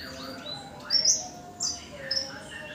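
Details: Tame yellow-bellied warbler in active song: soft, thin, very high whistles and short slurred notes, spaced about half a second apart, over faint background hiss.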